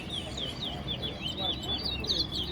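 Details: Caged towa towa at a singing contest in Guyana's National Stadium gives a run of short rising and falling whistled notes with faint voices behind.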